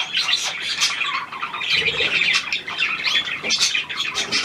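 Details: New hand-tame Australian pied budgerigar, 17 February 2023: lively run of chirps, clicks and scratchy squawks, bursts of louder high chatter at the start and near the end.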